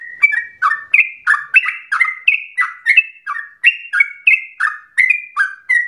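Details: Yellow-vented bulbul lure song for encouraging other bulbuls to sing with long breath: lively, rapid, gurgling notes in a steady chattering stream, alternating higher and lower tones.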